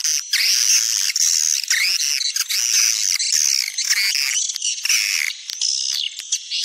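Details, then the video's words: Sumatran-style swiftlet lure call meant to attract swiftlets: long run of high, buzzy twittering phrases with rising and falling chirps. The phrases are repeated almost without pause and kept at an even, loud level. "Suara panggil walet populer di Sumatera"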